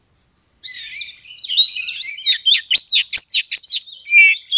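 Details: Oriental magpie-robin (kacer) singing a lure song meant to stir a rival's anger into fighting and puffing up. It opens with a pure high whistle, then a dense run of varied sweet whistles, trills and sharp chattering notes, fast and unbroken.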